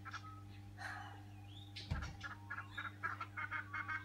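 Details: Noisy friarbirds in a colony feeding at a flowering Little John tree by a house give scattered raucous notes, then a quickening run of clipped, cackling calls, with a dull thump midway and constant low hum.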